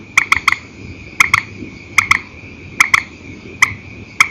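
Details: Night calling of a purple swamphen in single and double style: short hard clicks in bursts of two or three, then single notes, each group roughly a second apart, with a soft continuous high-pitched hum behind.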